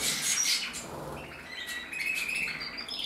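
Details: Red mosaic agate canary cock, 2024, starting with a rustling, noisy burst, then a steady thin trill and high whistled notes that carry on to the end.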